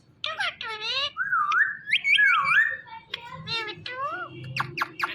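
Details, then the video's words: Pet rose-ringed parakeet talking indoors: a string of clear, speech-like syllables with whistled, wavering and rising tones, ending in sharp clicks. "This Parrot Talking Is Superb"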